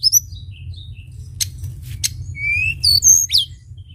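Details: Sunda bush warbler: high slurred whistles, sharp clicks, then a long rising whistle and bright falling notes, with low rumbling background noise throughout.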